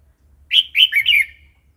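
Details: Red-whiskered bulbul wild-style song for training new birds and chicks: a single loud liquid phrase of four rolling whistled notes, the last trailing downward.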